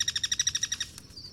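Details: Free-living Guira cuckoo in cross-singing: a brief burst of about a dozen quick, evenly spaced harsh notes that ends sharply, then a thin faint note.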